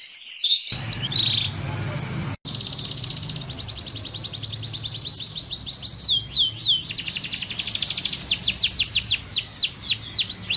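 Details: Canary singing a Blackthroat-variation roll for tutoring canaries and White-rumped Shamas: a brief chatter, a sudden cut, then a long rapid high trill that turns into separate sweeping downslurred whistles over a faint low hum.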